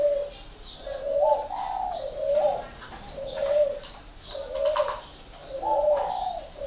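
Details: Northern Vietnamese spotted dove at a bird farm in Ba Vì, Hanoi, repeating low hollow coo phrases about once a second, each a short swelling note, with a thin constant high-pitched hum behind.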